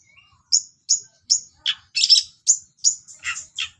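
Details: Long-tailed shrike singing with mimicked sparrow notes: a series of sharp, high chirps about every 0.4 seconds, then harsher, lower, buzzy notes near the end; faint low rumbling in the background.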